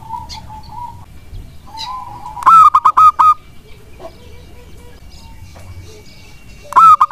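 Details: Energetic local wild zebra dove song, played as a lure so sluggish doves answer. A stuttering burst of five or six throaty coos is followed by a quiet pause, then another burst begins. A faint steady tone runs underneath.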